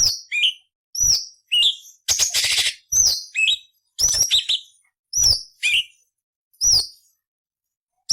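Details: Cucak cungkok training song for murai, cucak ijo and kacer. Clear high whistles, each dropping into a lower twist, are repeated with a brief coarse rasping burst midway.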